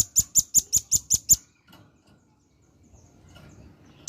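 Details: Velvet-fronted nuthatch, a male calling its companions as a lure: seven quick, piercing high chips in steady rhythm, then near silence with faint rustling and one last sharp click.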